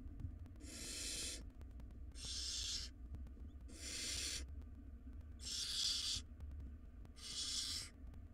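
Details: Wild barn owl nestlings pulling at a large rodent in their nest box utter five harsh, breathy screeches, each about half a second long, spaced roughly every one and a half seconds over a low hum.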